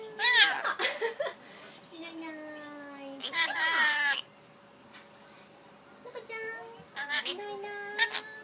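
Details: Rainbow lorikeet, a pet parrot, mimicking the Japanese peekaboo phrase: several short, voice-like harmonic utterances with gliding pitch, a low drawn-out tone near the middle, then quieter phrases after a pause.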